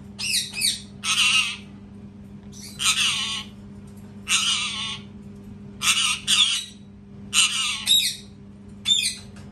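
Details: A run of harsh, piercing parrot screams, often in doubled bursts, coming about every one and a half seconds, interspersed with short sliding squawks.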